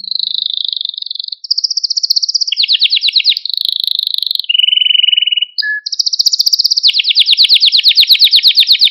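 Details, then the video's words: Male Maltese canary song: a long, unbroken chain of high, rapid rolling trills that shift pitch from tour to tour, including a lower buzzy section and a brief single whistle, in a clean recording. "Malta Kanarya Ötüşü Ve Erkek Kanarya Sesi"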